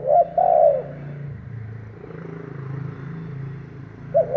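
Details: Decoy spotted dove cooing to lure wild doves: a stuttered hoot and a drawn-out coo open the recording. A steady low rumble fills the gap before the next coo begins at the end.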